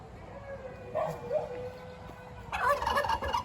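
A domestic turkey bursts into a fast, rattling gobble lasting about a second, just after a long, steady dog howl holds one pitch.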